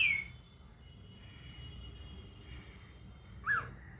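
A cockatiel gives two brief whistled notes, a high falling one and then a lower chirp.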